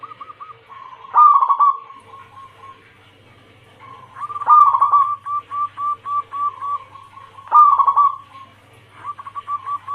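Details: Female zebra dove, local Bangkok crossed with cemani, calling to a male as a trapping lure; three loud rolling coo phrases about every three seconds, each trailed by strings of short clipped notes, with a constant low hum.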